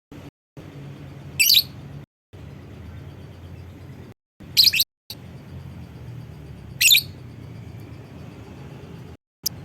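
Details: Lovebird call used as a lure to prompt other lovebirds to call along: three brief, shrill, very high chattering bursts spaced a few seconds apart, over a steady low hum with short silent gaps.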